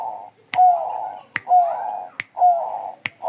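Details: Bangkok-type zebra dove singing energetically: four husky, rolling coo phrases in quick order, each opening with a short whistle, separated by loud, sharp clicks.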